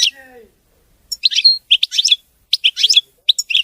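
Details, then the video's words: Clean, error-free goldfinch song: bursts of rapid, tinkling twitters and buzzy chirps in short phrases separated by brief pauses, with faint lower sounds at the start. "تغريد ملك الطيور المغردة الحسون (المقنين) نظيف وخالي من الأخطاء"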